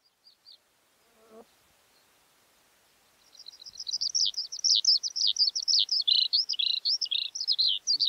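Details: Skylark calling: after a few faint chirps, a long continuous stream of high, rapid warbling and trilling notes sets in, pouring on without a break, with a soft low buzz early on.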